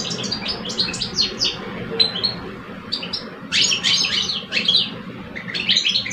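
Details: European goldfinch males, one mature and one aged two, face off in song in cages in Algeria; scattered chattering notes build into a loud, dense twittering burst midway, then resume after a brief lull.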